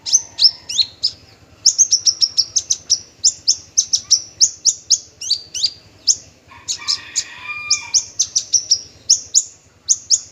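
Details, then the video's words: Male bushlark of the form parva singing vigorously: rapid series of high, sharp, whistled notes in quick bursts, with a short lower warbled phrase near the middle and a steady low pulsing hum underneath. "branjangan parva"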